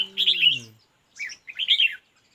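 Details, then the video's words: Red-whiskered bulbul in a decoy-trapping fight setup: a quick warbled phrase overlaps a short human voice at the start, followed after a pause by two more chirpy, slurred whistle phrases. "Bẵy đấu chào mào"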